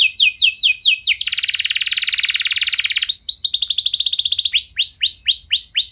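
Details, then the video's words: Singing canary meant to spark song in other canaries: falling whistled notes, then a long fast dense trill for two seconds, followed by a chattering run and slower bright downslurred whistles. "Kenari Anda Bisa Gacor Seketika Dengar Pancingan Kenari Nembak Joss Ini"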